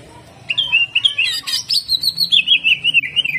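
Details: Greater green leafbird singing a rough, fast 'jamtrok' phrase: a dense run of high, buzzy, warbling notes that climbs, then holds a long wavering whistled line with rapid pulses to the end.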